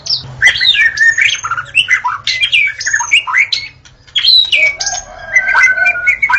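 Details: At dawn a white-rumped shama sings, a recording meant to lure shamas; dense, varied whistles, chattering notes and slurs with a brief pause midway and longer whistled phrases after.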